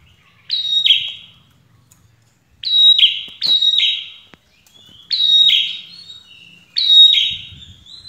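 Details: Prinia song used to make other birds answer: five loud two-part phrases, each a high steady whistle that drops abruptly into a lower, buzzier trailing note, repeated every one to two seconds, with faint low rumbling in the background.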